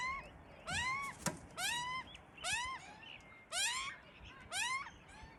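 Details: Young Australian magpies, a pair of chicks tucked in a tree, calling loudly for food from attending parents; rising nasal squealing cries with rich harmonics, repeated roughly once a second in evenly spaced bursts.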